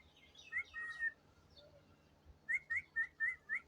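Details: A pet budgerigar chick, apparently eating grass, gives short, bright chirps, first a quick cluster, then five evenly spaced notes at about four per second.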